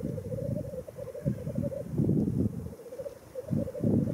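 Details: Lekking black grouse at World's End, Wales, in April 2017 give a loud, dense, rolling, bubbling coo without pause, mixed with frequent low, rasping bursts and some wind.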